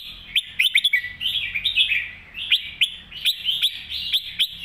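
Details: Red-whiskered bulbul in captivity delivering its master-style song, a fast stream of clear whistled and chirped notes, many sharp accented peaks and slurred rising phrases with almost no silence.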